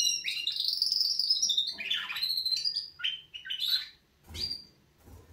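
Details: A canary's wake-up song starts with a long sustained trill, then drops into swooping whistles and short chirps before a quiet stretch and a last clipped note.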